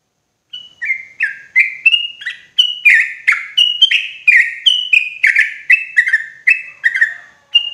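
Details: Sooty-headed bulbul calling loudly and clearly as a forest trapping lure: a steady, unbroken run of bubbly whistled notes, roughly two per second, alternating higher and lower pitches with a bright, chattering quality.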